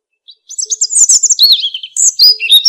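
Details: Robin singing a quick, high phrase of thin whistles and trills that slide down and then jump up again, delivered as a rapid jumble of varied notes with a faint low hum in the background.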